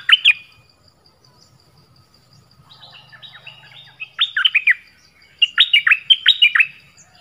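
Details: Dok Taeng bird song in an original recording with many phrases: scattered short whistles and soft warbling over a low hum, then two loud, quick runs of steeply falling whistled notes.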